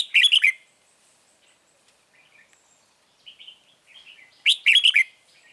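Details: Red-whiskered bulbul used as a trap lure sings a loud, quick warbled phrase, soft chattering notes, then a second bright phrase of rapid liquid notes near the end.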